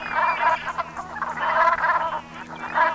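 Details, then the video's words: Brent geese at sunset in the Gulf of Morbihan, Brittany, 7 November 2021, autumn; close, loud bursts of harsh rolling croaks in three main groups separated by brief quieter pauses. "BERNACHES Cravants/Automne/Ambiance Sonore"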